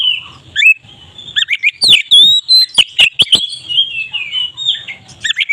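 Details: Loudly singing oriental magpie-robin used to coax others into song: long flowing whistled phrases with downslurs and chatter, interrupted by a quick series of four sharp clicks.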